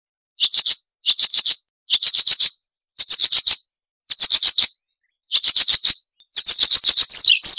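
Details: Marsh warbler song from a loud, clean tutor recording for training caged songbirds such as magpie robins, full of sharp chattering: seven short bursts of rapid buzzy rattling notes, each about half a second long, separated by brief pauses.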